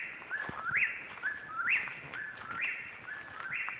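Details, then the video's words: Dawn song of an eastern whip-poor-will at 5:30 AM, 21 May 2012, Pisgah National Forest, North Carolina: four clear whistled phrases, each climbing to an upslurred final note, come roughly one per second over faint forest background. "The Whippoorwill - Nature's Alarm Clock"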